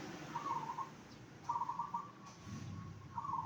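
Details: Zebra dove song used to draw answers from other zebra doves: three short, purring, trilled coos of even pitch, each about half a second, spaced roughly every 1.4 seconds, over a low hum.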